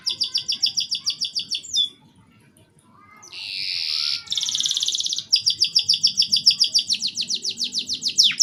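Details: Short broken canary song used to prompt young canaries to sing quickly: rapid repeated high chirps, a pause, a dense buzzy roll, then a long fast series of sharp repeated notes at about three or four per second.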